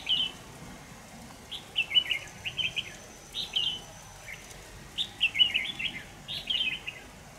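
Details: During a 25 November 2018 trapping session using a decoy, a red-whiskered bulbul repeats quick chirruping phrases of three to five sharp notes every second or so, against constant low background noise outdoors.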